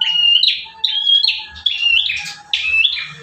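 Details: Bar-winged prinia song used to train other birds: loud clear whistles followed by harsh buzzy bursts, in phrases about every eight-tenths of a second, close and dominant.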